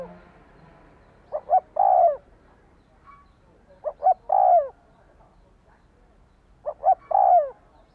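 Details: Spotted dove coo series, used to push a decoy bird to respond: each phrase has two clipped notes and a long falling coo, repeated three times at roughly 2.5-second intervals in quiet surroundings.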